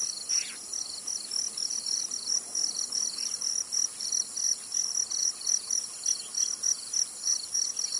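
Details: Sharp, clipped high notes from a zitting cisticola recorded in Tainan, Taiwan, repeated rapidly for eight seconds over loud shrill insects.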